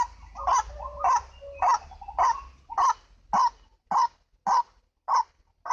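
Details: White-breasted waterhen (ruak-ruak) lure call: rhythmic harsh barking notes repeat steadily, softer murmurs in between, fading to cleaner separate calls over low hum.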